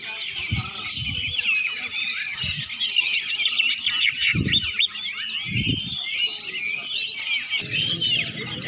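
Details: Greater green leafbird, locally cucak ijo, warming up before a singing contest: a continuous high, varied stream of chattering and whistled phrases with quick trills, over low intermittent thumps and faint voices.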